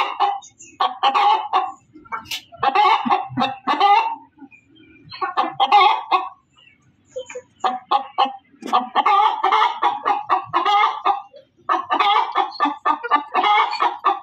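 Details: Hen giving loud, raucous cackles in bursts of rapid clucks, separated by short quiet gaps, then building into longer strident runs toward the end.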